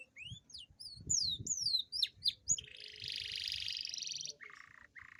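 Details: Canary song intended to stimulate lazy canaries: looping rising and falling whistled slurs, then a dense buzzy roll lasting over a second, ending in a lower buzz, over a faint noisy background.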